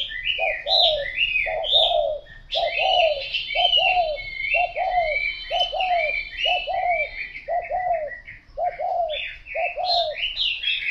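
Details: Spotted dove cooing continuously, about ten evenly spaced phrases, each a short note joined to a longer falling coo, with a chorus of high chirping birds and a faint steady whine behind.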